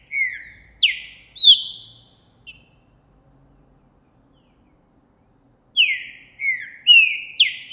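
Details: Green-winged saltator, Trinca Ferro Boi type, January 2024, singing vigorously after seeing a female: a short run of three rich descending whistles and a high note, a pause of several seconds, then a fresh phrase of four loud downslurred whistles.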